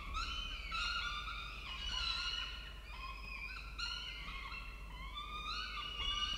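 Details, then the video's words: Peregrine falcon food delivery by the male at a nest in Orange, Australia, recorded by nest camera; overlapping harmonic wails, some drawn out and some clipped, continue in uneven waves. "Sokół wędrowny Orange Australia - Xavier z dostawą dla Marri & Barru"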